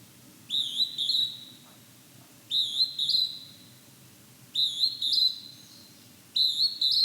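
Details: Calling in fog, a Hodgson's hawk-cuckoo repeats piercing two-note whistled phrases four times at about two-second intervals. Each phrase climbs abruptly and then holds a high, strained tone. The background is quiet.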